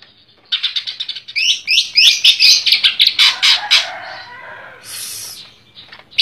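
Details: A greater green leafbird from Comal, Pemalang, in dense, rapid song: a fast burst of bright, high chattering notes, about three or four per second, ending in a short hissy phrase.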